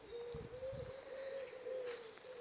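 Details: Pigeons cooing in the mating season among trees by a churchyard in early April, during a dry spell: a low, steady coo with a gentle wavering rise and fall for over two seconds, over a few soft low thumps.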